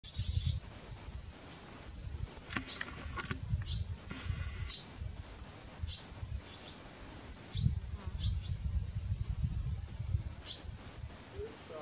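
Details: Barn swallow nestlings in their nest at Kırcaali, Bulgaria: sharp, high chirps come in irregular bursts over about twelve seconds, on top of steady low rumbling background noise.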